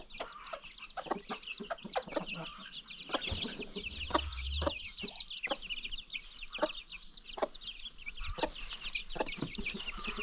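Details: Free-range farm flock with new baby chicks: many chicks peep continuously in high, thin, rapidly repeated notes, while an adult hen adds occasional low clucks and a few knocks sound in the background.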